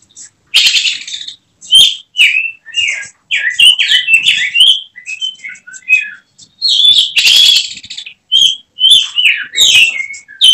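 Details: Oriental magpie-robin (kacer), a caged contest-prospect bird whose emotion breaks into 'tembakan' during critical minutes: a dense run of rapid whistled, slurred notes interrupted by harsh buzzy bursts, continuing almost without pause.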